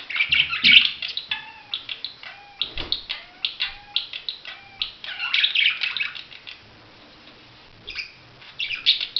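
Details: Budgerigar warbling in a rapid, nearly continuous run of chirps, clicks and short whistled notes, some falling slightly in pitch. A short pause comes near the end before the chatter resumes.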